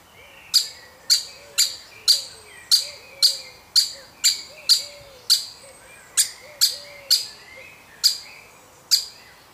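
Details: Woodpecker chick being fed, from a family watched over a week: a quick run of about eighteen sharp, high, clicking notes in under ten seconds, roughly two per second. A soft, low, wavering hum runs underneath.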